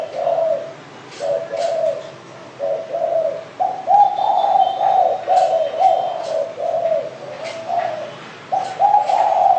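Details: Continuous mellow cooing from a spotted dove, several linked phrases of low rounded notes over nearly ten seconds, accompanied by brief high chirps from other birds.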